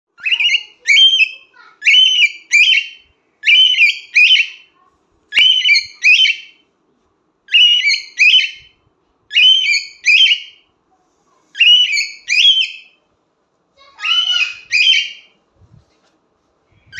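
A cockatiel gives bright, whistled, slightly grating calls in short doubled bursts, repeated every couple of seconds.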